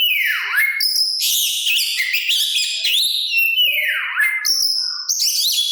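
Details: Oriental magpie-robin song used to lure other kacer into answering: a loud downslurred whistle opens, followed by dense warbled and buzzy phrases, then another long falling whistle and further high notes.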